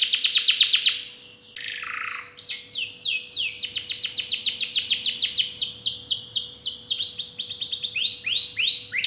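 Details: Canary song opening with a quick trill, a buzzy rasping phrase, then a long run of fast repeated descending notes and closing whistled upsweeps; faint constant hum present.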